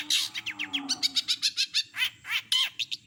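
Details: Long-tailed shrike singing a full mimicry repertoire: fast, evenly spaced bright chirps and downslurred whistles, about two per second, with a loud harsh note at the start. Energetic and continuous.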